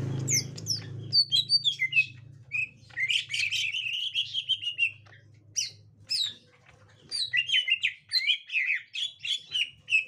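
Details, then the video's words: Green leafbird of the gotri type reacting to a young wild forest green leafbird, giving rapid varied chirps and sharp high notes, then a run of buzzy slurred phrases, over a low hum at the start. "Tingkah Cucak Ijo Gotri Saat Di Temukan Cucak Ijo Muda Hutan"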